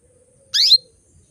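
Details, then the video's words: Female canary calling males into breeding condition; one rich rising chirp with a buzzy, layered quality ending on a brighter whistled tip, in otherwise quiet surroundings. "PANCINGAN KENARI BETINA MEMANGGIL JANTAN"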